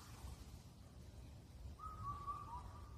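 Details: Indian cuckoo (Cuculus micropterus) in Korea's Cheonmasan area, Incheon, which calls through the night at the end of spring; a single clear, rhythmic whistled phrase of four notes, the final one lower, heard after a quiet stretch with low rumble.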